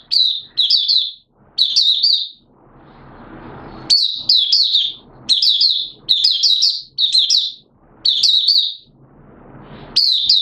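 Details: A Malaysian oriental white-eye, captive and in minor moult, gives a long run of quick high chirped phrases about once a second, with two brief rustling pauses; recorded 2 April 2023.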